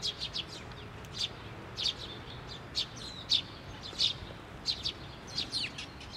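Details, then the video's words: Bird chick calling from atop a post at a Tenmangu shrine, 16 May 2023, as a parent bird returns; high, thin chirps in quick clustered bursts, roughly every half second, over faint steady background noise. "支柱の上で鳴いてた雛鳥 親鳥が戻って来た"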